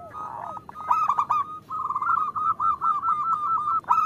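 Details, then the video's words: {'text': 'Female zebra dove calling to a male, a lure for getting local males to sing; a quick burst of loud coos, then an even string of short rounded notes in quick succession.'} "Suara Perkutut Betina Memanggil Jantan"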